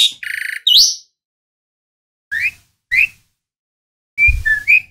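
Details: Asian pied starling giving a harsh buzzy phrase with a rising whistle, then after silence a few short upslurred whistles and a final squeaky flourish.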